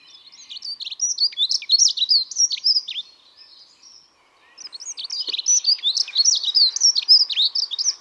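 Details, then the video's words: Two fast, high, scratchy warbling song phrases from a Dunnock, each around three seconds long, separated by a short pause with faint background bird notes. "Vogelstimmen: Die Heckenbraunelle - Dunnock - Prunella modularis"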